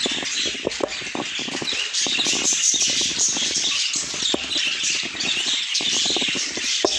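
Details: Many budgies warble at once, a busy stream of scratchy, twittering notes and bright chirps layered without pause.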